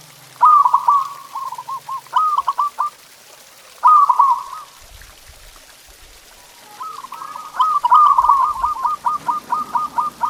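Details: Zebra dove song meant to stimulate pet doves: several rolling trilled coo phrases, ending in a long run of evenly repeated soft staccato notes.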